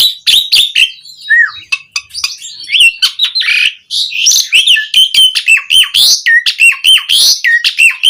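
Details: Asian pied starling song to call other starlings, rapid jumbled chatter of clicks, rasps and short whistles, with repeated downslurred whistled notes in the second half.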